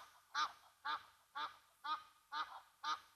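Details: Disturbed Egyptian Geese reacting to a Brown Hyena at a South African lodge waterhole, Gnu Pan at Mabula; six loud rasping honks spaced evenly about half a second apart, nothing else prominent.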